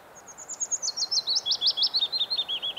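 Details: Early-summer song of a Willow Warbler at Geilo by the Hallingskarvet range, Norway, late June or early July: a liquid, descending run of rapid sweet notes, starting high and thin and dropping to fuller, lower slurs at the end.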